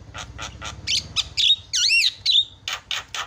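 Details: Javan myna varied song played to excite other mynas: clipped harsh chacks, a few squeaky notes, then a swooping whistled phrase that rises and falls, followed by more rhythmic raspy notes, with a low mechanical hum beneath.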